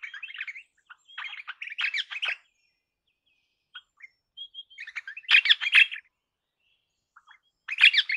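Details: Crimson rosella (Platycercus elegans), a parrot, giving harsh chattering bursts of squeaky notes, three main bouts spaced a few seconds apart with brief quiet gaps and a few short isolated notes between them.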